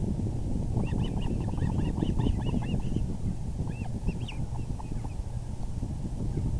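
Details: At an osprey nest on April 6, 2020, 6:30 pm, as the male delivers a big fish, quick strings of high, slurred chirps are repeated several times a second, then a short later burst, against strong wind rumble.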